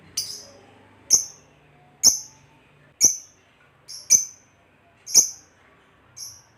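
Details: Lovebird of the fighter type, kept as a hobby bird, sounding short sharp high chirps about once a second, each a thin piercing tick with a faint overtone, seven in a row over quiet background.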